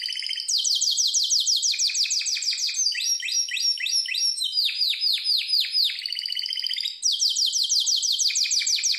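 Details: Harz Roller canary singing a training song: continuous fast rolls of high swept notes, phrases changing every couple of seconds, one brief break, no other noises.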